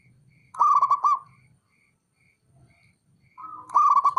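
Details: Local male zebra dove calling to rile up rivals: two loud, rapid, stuttering coo phrases with a pause between them. Soft, high, regular piping notes and a low rumble sit in the background.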